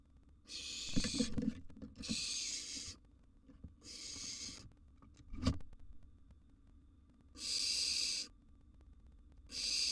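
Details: A wild barn owl nestling hisses harshly in its nest box while feeding on a large gerbil, with loud scrabbling and thumping between the rasping calls.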